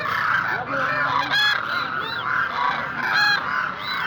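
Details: Demoiselle cranes, locally called koonj: a flock gives overlapping nasal, honking calls with rich harmonics, some rising and falling in arches. Several loud bursts come close together in a dense, continuous chorus.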